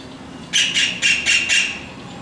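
A young white-throated kingfisher gives five harsh, screechy notes in a quick run, about four per second, over a faint low background hum.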